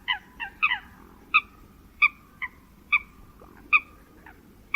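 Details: Migratory Eurasian coot calling with clipped, nasal single notes spaced roughly half a second to a second apart, a few closer together, over a low continuous rumble.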